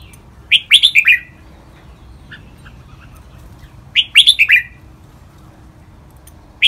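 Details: Red-whiskered bulbul training song in the riek, double and lak wai styles. Two crisp phrases of four or five bright, downward-sliding whistles are separated by a pause, with one more note at the end.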